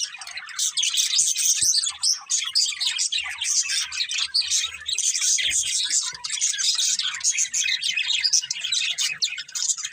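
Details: Budgerigars keep up a steady, dense twittering, shrill chirps and scratchy warbles overlapping throughout, with faint low background knocks.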